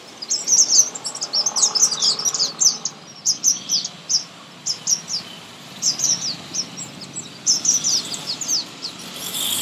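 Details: Spring morning song of a thrush nightingale: dense runs of high, sharp descending notes delivered in quick clusters, pausing briefly between phrases, with faint lower warbling beneath and a light rushing background.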